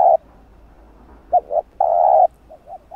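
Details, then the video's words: Spotted dove coos, used in Vietnam to provoke wild doves into calling for trapping: brief low hollow notes, a pair of short coos and one long drawn-out croo, separated by quiet gaps. "Tiếng cu gáy gọi thúc gù kích mồi tập bổi, kích bổi ức chế gáy nhanh"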